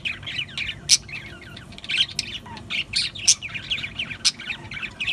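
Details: Budgerigars chattering: busy scratchy warbles and chirps around the upper-middle range, with sharp high squeaks roughly once a second over steady faint low background hum.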